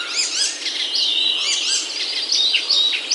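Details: Birdsong in Himalayan oak woods near home, Himachal, India: dense overlapping high whistles and short rising chirps, sustained without a pause through the whole stretch.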